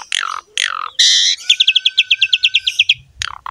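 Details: Javan pied myna (jalak suren) song, used as a training recording for other mynas; two descending squawks, a buzzy note, then a steady string of about twelve quick chirps over a held tone.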